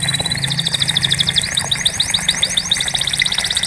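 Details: Canary song for prompting non-singing canaries: a steady high tone breaking into a fast repeated trill of slurred notes, with a low droning hum underneath.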